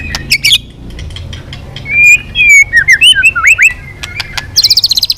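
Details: White-rumped shama singing intensely while flicking its tail, in the 'kéo dây yến' style with changing voices: scattered high chips, then a run of clear whistled slurs and a rapid, evenly repeated high trill at the end.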